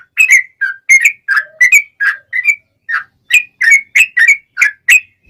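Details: Fighting song of a male sooty-headed bulbul, long and rapid, offered as a lure for other bulbuls: loose sequence of sharp whistled chirps, often paired, bending up and down, with uneven gaps between them.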